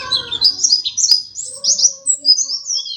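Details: Pleci dakun white-eye, a second-place contest champion, singing busily: rapid high, thin twittering notes sliding up and down in quick bursts, with a brief low rumble at the start.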